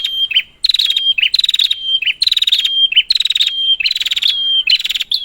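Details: Prinia (prenjak) recording used as a lure to prompt silent prinias to sing: rapid buzzy, pulsed bursts of high notes, each with a thin sustained whistle running through, repeated roughly every 0.7 seconds in steady succession, with no other sounds.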